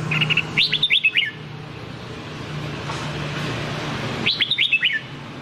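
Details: Training song for white-cheeked bulbuls, sung by a Nam Đông style red-whiskered bulbul: two crisp phrases of four or five quick falling whistled notes, about four seconds apart, over a soft low hum.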